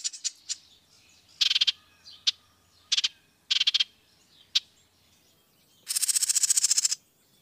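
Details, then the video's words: A Dark-eyed Junco gives short, dry, rapid trills on one pitch, the last running about a second, with sharp chip notes between bursts. "masteran suara burung (dark eyed junko)"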